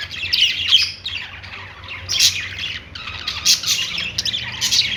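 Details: Budgerigars singing on a perch, a dense run of scratchy chirps and warbles between 2 and 6k, in bursts with short lulls; faint low hum beneath.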